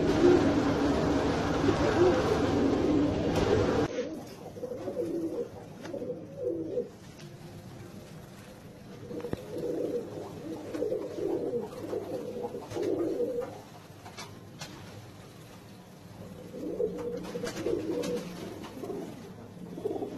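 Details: Fantail pigeons cooing after about four seconds of loud broadband noise: low, throaty rolling coos, repeated in bursts with short pauses between, with faint background clicks and rustling.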